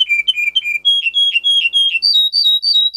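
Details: Russian singer canary, a breed kept for singing, recorded for training young canaries: a quick series of short whistled notes that step down, then climb higher in pitch, clear and close.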